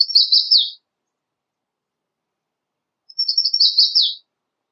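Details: American redstart song with variations: two high, wiry phrases about three seconds apart, each a quick run of thin, sibilant notes finishing in sharp downslurred accents, with quiet between.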